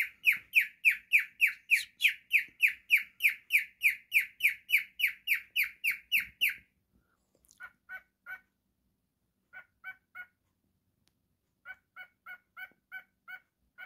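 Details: Pet baby cockatiel, happy and playing, singing. Bright chirps repeat steadily about three times a second for six seconds. After that come sparse, softer chirps in small clusters with silent gaps between them.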